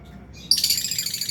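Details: A lovebird in an aviary flock of albino and Fisher's birds lets out a sudden harsh, high, grating chirp that rattles on for almost a second after a brief quiet start.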